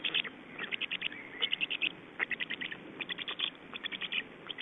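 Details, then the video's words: Estonian black stork nest, 29 May 2012 around 19:55, during feeding and a nest change: quick series of crisp rattling clicks in short runs, plus a faint drawn-out whine underneath. "Estonian Black Storks - Feeding and change"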